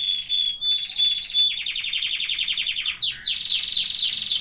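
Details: Singing canary delivering loud, rapid rolling trills. A clear whistled opening gives way to pulsed tours that shift pitch every second or so, ending in fast repeated downward sweeps.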